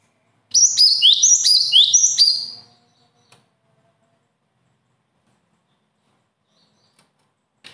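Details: One high, fast burst of repeated sharp chirps from a bird, about two seconds of quick slurred notes, followed by near silence with a faint click near the end.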